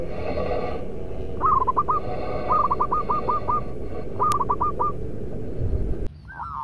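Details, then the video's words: Local Indonesian zebra dove kept as a top decoy bird with a loud voice, singing three clear phrases, each a longer coo then rapid staccato notes, over a steady low rumble with a sharp click midway. "Perkutut lokal raja pikat"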